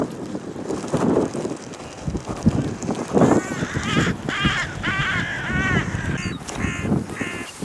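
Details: Carrion crows greeting the person feeding them whole wheat on a clifftop; scuffling and footsteps at first, then a series of hoarse, rasping caws that come faster toward the end.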